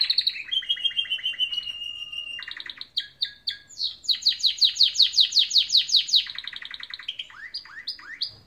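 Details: Loud, clear morning canary song: a drawn-out whistle and a buzzy trill, then a long series of strong pulsed notes repeated about five per second, ending in quick rising chirps.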